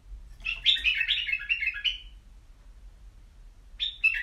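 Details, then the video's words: Caged white-eared bulbul delivers a lively two-second run of fluty, tumbling notes stepping downward, followed by silence and a sharp short note starting again at the end. "تغريد بلابل يجعل بلبلك يغرد"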